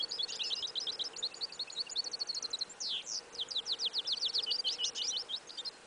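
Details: Yellow isabella goldfinch-canary hybrid in a field in winter, 11 January 2015. Fast, high twittering with chirps repeated in quick runs, a sweeping downward slur midway, over faint hiss.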